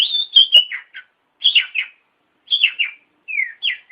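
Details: Tutor song of an oriental magpie-robin (kacer), used to train other birds: short clusters of bright whistled and chattering notes, each about half a second long, repeated roughly once a second.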